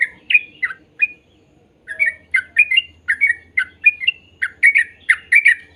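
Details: Sooty-headed bulbul played to get young birds singing: a few whistled notes, a short pause, then a lively series of liquid slurred phrases with a faint low hum behind.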